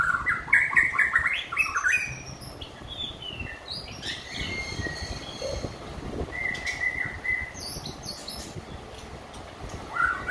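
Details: Song of a White-rumped shama that has finished moulting: a fast run of stepped whistled notes sliding upward with high thin overtones, a pause, then a long level whistle and short sharp notes.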